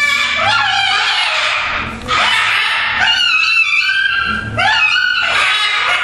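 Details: A pet flock of two blue-and-gold macaws, a scarlet macaw and two umbrella cockatoos, having fun in their bird room at a typical noisy time, scream together in loud, harsh, overlapping squawks with raspy and whistled notes in bursts every second or two.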